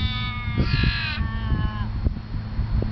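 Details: At Lake Monger, Perth, Australia, an Australian raven utters one long, strained wailing call that slides downward at the close, with a constant low hum behind.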